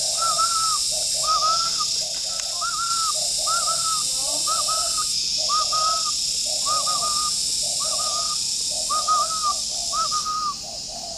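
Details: Morning cooing of a spotted dove in a bird garden in Ba Vì, Hanoi, Vietnam: about ten rapid, evenly spaced pairs of a low hollow coo and a short bent whistle, with constant shrill insects.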